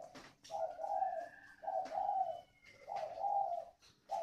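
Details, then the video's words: Decoy spotted dove of the 'còi' voice type, Ba Vì, Hanoi, Vietnam, giving a run of mellow, hollow coos in roughly one-second phrases with short gaps, plus a faint thin whistle above. "CHIM MỒI GIỌNG CÒI"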